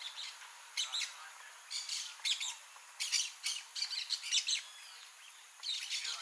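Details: Blaze-winged parakeet (Pyrrhura devillei), described as a rare bird: harsh, scratchy broadband squawks given in short bursts, about eight to ten calls in quick irregular sequence, some doubled, over a quiet background.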